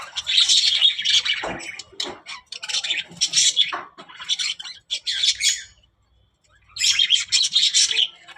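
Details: Talking budgies give bursts of high, scratchy warbling and squawky notes in several phrases, broken by a clear silent gap of about a second before one last chattering burst.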